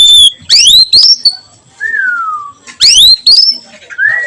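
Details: Oriental magpie-robin singing in the afternoon in the melodious 'nyiul' style: loud clear whistles with rising sweeps and slurred notes, then a long soft whistle falling slowly, and the bright phrases repeated after a pause.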